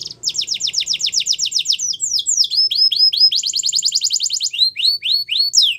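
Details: Belgian canary training song: steady rapid trill of downward strokes, then slower sweeping whistles, another fast rolled trill and further swept notes, loud and unbroken.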